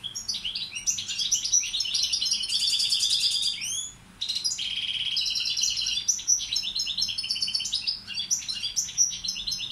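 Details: Tutor goldfinch, Balkan form balcanica, pouring out long tours of fizzy buzzing trills, curved slurred notes and fast twittering, with one short gap before resuming.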